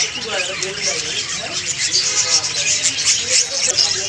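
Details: Several budgerigars chattering together in a dense, continuous stream of high, scratchy chirps and warbles with no pauses, many voices overlapping into one busy wash of sound.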